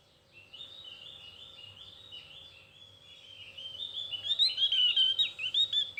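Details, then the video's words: Javan white-eye giving thin chirping song: a rapid run of short, high, slurred notes repeated about twice a second, building at the end into louder, quick, twisting warbled phrases. "Cuitan Tipis Opior Jawa"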